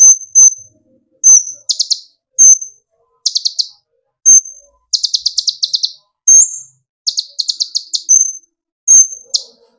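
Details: Kolibri ninja (olive-backed sunbird), young to fully metallic bird, singing to rouse other birds: scattered sharp whistles mixed with short quick bursts of high buzzy chips, irregularly spaced.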